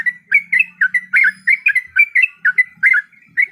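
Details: Female yellow-vented bulbul in breeding condition calling to a male: a rapid chattering run of short bubbly, slurred notes, about three per second, with a faint low hum underneath for the first half.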